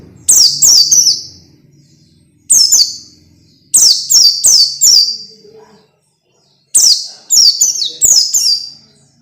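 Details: Orange-headed thrush training song for young birds. Very high, sharp, falling whistled notes come in quick bursts of two to four, with pauses of one to two seconds between bursts. A faint low hum lies underneath.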